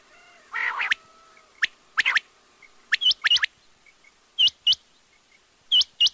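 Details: Quail giving crisp, upward-hooked whistled notes in pairs and threes, spaced one to two seconds apart, after a brief rough burst near the start; soft dotted chirps in between.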